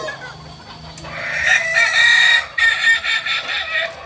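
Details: A Kokok Balenggek rooster at a practice gathering in Amko, Solok city swells into a loud, bright crow, followed by several shorter chopped syllables, with other fowl noise behind.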